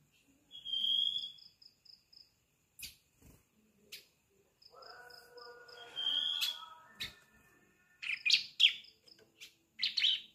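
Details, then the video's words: Young bar-winged prinia (ciblek) beginning to sing, used to coax adult birds into song: scattered short high whistles and sharp chirping bursts separated by pauses, with soft clicks and a faint buzzy tone between them. "Suara Ciblek Anakan, Pancingan Gacor Ciblek Dewasa"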